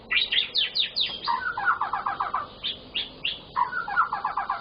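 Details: White-rumped shama singing energetically to stimulate other shamas: high chattering notes followed by fast descending series of repeated trilled notes, repeated twice in quick succession.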